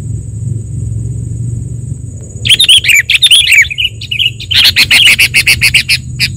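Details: Sooty-headed bulbul song used as a lure for trapping and as a tutor for training birds: bubbly warbled phrases, then a fast run of sharp repeated chirps, over low engine rumble and a steady high whine.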